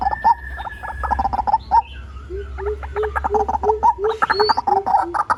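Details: Lure recording of a white-breasted waterhen: rapid clipped notes with occasional upward bends, joined midway by a run of lower, hollow, evenly spaced notes beneath the faster stuttering calls.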